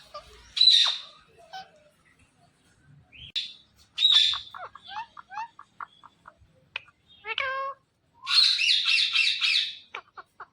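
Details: Green Indian ringneck parakeet talking and dancing: scattered screeches, clipped chattering syllables and a harmonic speech-like phrase, closing with a long pulsing, raspy screech and brief chirps.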